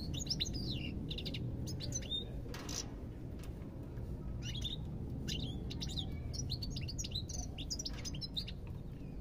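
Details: Busy European goldfinch twittering, with bright trilled phrases and chirps strung together in quick clusters, a brief buzzy note midway, and low rumbling noise throughout.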